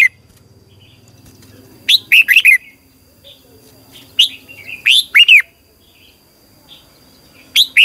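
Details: Morning song of a red-whiskered bulbul in long twisted double-voice style, used as decoy song for training competition birds: short bright bursts of three or four slurred whistles, with soft chatter between them.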